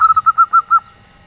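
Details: Local female zebra dove of the nyelir type, calling to lure reluctant males. A quick run of six clear whistled notes, each high, even-pitched and evenly spaced, fades out after less than a second.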